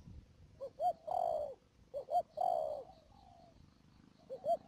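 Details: Spotted dove serving as a trapping decoy in Mương Điều, Cà Mau, Vietnam, 12 March 2019; gentle coo phrases, two short rising notes then a longer falling coo, about every 1.4 seconds, with a faint steady high tone.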